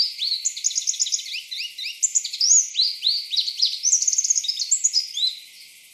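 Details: Eastern double-collared sunbird from an East African sky-island population delivering a rushed, jumbled warble of high sliding notes and trills, almost without pause, fading toward the end.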